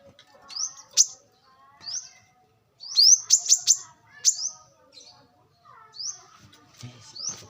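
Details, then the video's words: Wild brown-throated sunbird used as a lure: high, rising, slurred whistles given singly and in a quick cluster of sharp notes, with a faint low sound near the end. "kolibri kelapa | manggar | wiceh | pancingan korlap dengan suara asli alam liar gacor"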